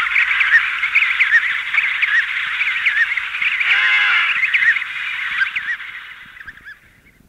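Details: Emperor penguins calling in a colony of adults and chicks, with wing beating, recording slightly hissy: many quick wavering whistled notes over a dense chorus, a strong harmonic trumpeting call around four seconds, then the chorus fades out.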